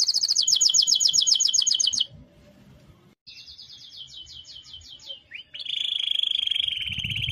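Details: Canary singing in bursts: a fast high trill, a pause, then a softer repeated trill and a steady rolling tone. Low rumbling noise is audible between and beneath the phrases.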